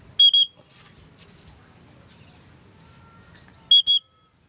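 A cockatiel gives two pairs of loud, shrill, piercing whistled calls, each note short and sharply cut off.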